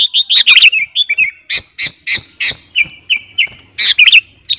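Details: Clear song of a 'garuda' sooty-headed bulbul, kept for training or luring birds: short bright whistled and chirped notes, many in slurred pairs, delivered in a steady string with brief gaps, a clean quiet background.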